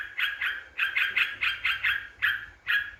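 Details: Yellow-vented bulbul, used as a lure to provoke rivals, giving a run of harsh, bubbly chattering notes repeated about three times a second with brief gaps.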